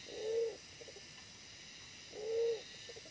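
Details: Low, even coos from a wild pigeon being lured with a decoy, two calls about two seconds apart, each trailed by faint quick pulses, over constant hiss.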